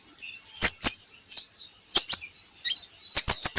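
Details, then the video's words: Javan hanging parrot song from a training recording for birds: irregular high sharp chirps in pairs and short bursts, with faint thin notes between them. "PANCINGAN KOLIBRI NINJA Bahan Agar Bunyi || MASTERAN Konin Agar Cepat Gacor"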